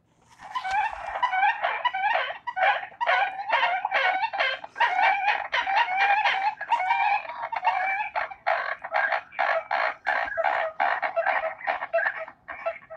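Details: American Coots in a marsh, giving a steady chatter of rapid, hen-like clucks and cackles that overlap with no pause. Often heard as hundreds calling at once in the distance.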